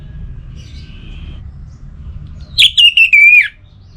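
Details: Orange-headed thrush song, meant to stir reluctant birds to sing: a single short phrase of clear, slightly descending whistled notes that slurs down at the end. A faint thin note comes earlier, with low background noise.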